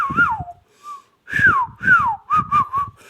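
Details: Ringneck parrot giving arching, downward-sliding whistles mixed with short level whistled notes. The phrases come in an uneven, chattering sequence with a brief pause early on, in a quiet indoor setting.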